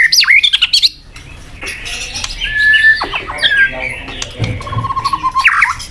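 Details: White-rumped shama (murai batu) song played as a pancingan lure to spur a sluggish shama into fighting mood: a loud, quick jumble of sharp notes at first, then softer scattered whistles, a few level tones and faint chatter.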